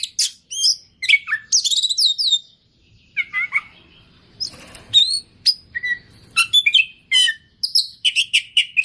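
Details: Energetic 'isian' singing from an oriental magpie-robin: clusters of bright descending whistles and chattering notes, a pause near the middle with faint rustling, then quick varied phrases resume.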